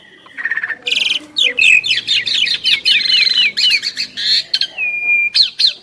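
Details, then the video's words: Asian pied starling duet of two champion birds: dense, bright song mixing rapid harsh chatter, looping whistled slurs and crisp clicks, ending with a long steady whistle and a few rising squeaks. "Jalak Suren Istimewa | Duet 2 Burung Juara"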